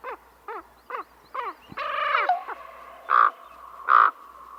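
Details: Calls of a Common Raven, described as echoey, slower and deeper than a crow's: four short, clipped notes, a rough, raspy burst, then two loud, drawn-out harmonic croaks about a second apart.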